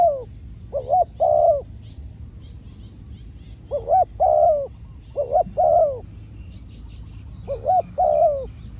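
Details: Trained decoy spotted dove calling while trapping wild doves: three or four groups of a quick double coo and a drawn-out, falling croo. Faint high chirps of other birds sound above.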